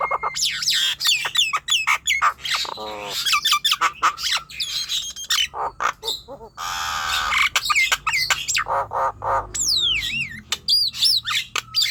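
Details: Nias hill myna song for prompting young, untrained or quiet birds to sing: long stretch of crowded squawks, clicks and harsh buzzes, ending with loud descending whistled notes over a faint low hum.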